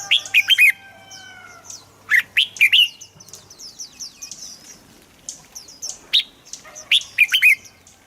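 Red-whiskered bulbul giving bright, bubbling whistled phrases in short bursts, each a quick run of rising and falling notes, with gaps between; other chirps faintly behind.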